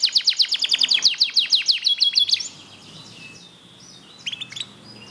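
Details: Black-red mosaic canary singing: a fast series of descending chirps repeated about three times a second for over two seconds, then quieter scattered high notes after a pause.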